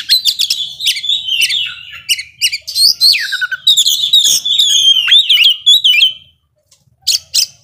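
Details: Oriental magpie-robin in a rapid ngobra song meant to anger slow rivals, pouring out fast chips, sweeping whistles and warbles for six seconds, then falling quiet before two sharp clicks.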